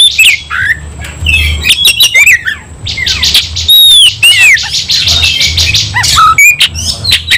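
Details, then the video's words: Fighting White-rumped shama (kacer): scratchy rattles and clicks with clear whistled notes that curve downward, loud and busy, over a low background hum. "kacer langsung KONSLET tarung ngotot full emotional"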